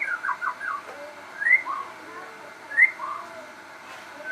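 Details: Crossbred shama in persistent song: short warbled notes, then two loud rising whistles, each followed by a softer lower note.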